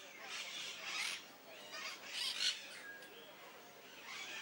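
Peach-fronted Parakeet giving harsh, grating squawks in short bursts about once a second, high and scratchy, with quieter chatter between.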